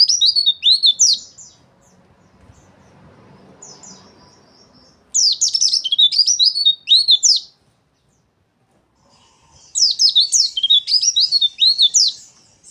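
A white-eye gives fast, high, harsh chattering bursts of scratchy twitters, each lasting about two seconds, separated by short pauses. Faint low room noise between bursts.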